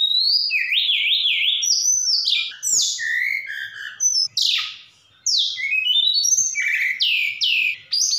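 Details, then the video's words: Javan bush lark from Sukabumi, a caged songbird singing loudly in a varied, mimicry-rich song: rapid warbled zigzag notes, sweeping slurred whistles rising and falling, and bright chirps, with a brief pause before more mixed phrases. "Tledekan Gunung Gacor Sukabumi"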